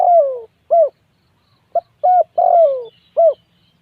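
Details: A long falling coo and a short coo ending one spotted dove phrase, then a fresh phrase of a quick note, a level coo, a drawn-out descending coo and a closing note; very little background.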